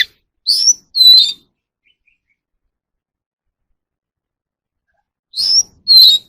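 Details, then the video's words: Oriental magpie-robin, voice training for captive birds: two bright whistled phrases with falling slurs, a long quiet gap, then the same pair of notes repeated. "kacer alam | choè than luyện giọng || Choè than kích bổi ra giọng เสียงนกกางเขนบ้าน"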